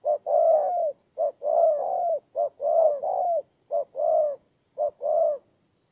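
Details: Decoy spotted dove in Kon Tum, Vietnam, recorded September 2018, cooing loudly and clearly: alternating short clipped notes and longer rounded coos in a brisk, slightly uneven rhythm.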